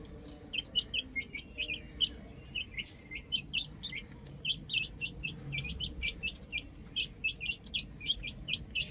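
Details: Baby chickens playing on a roof, several chicks giving short high peeps in quick overlapping bursts, several per second throughout, over a faint low background hum.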